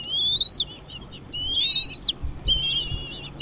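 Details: Baby birds in their nest begging as parents arrive with food; drawn-out high whistles that rise steadily then drop sharply, three in a row, with faint low rustling.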